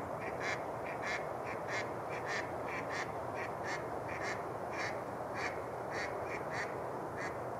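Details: Mallards on open water at Rush Lake, New Brighton, Minnesota, in February, give short, nasal quacks in an irregular series, roughly one or two a second, over a steady wash of broad background noise.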